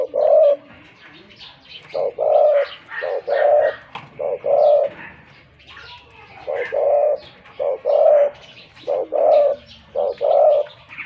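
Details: Caged decoy spotted dove, wild-caught, praised for its big voice. Deep coos repeat in short-short-long phrases, with faint chirps from other birds behind them.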